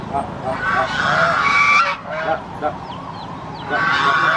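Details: Goose screaming after watching strangers: loud harsh honks fill the first two seconds, then a quieter stretch with faint rising chirps from other birds, and a renewed burst of honking at the end.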